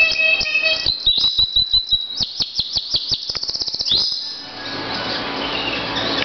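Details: Pet canary singing: a sequence of quick chirps, then an accelerating series of sharp clicking notes into a fast roll, finishing in a soft buzzy hiss.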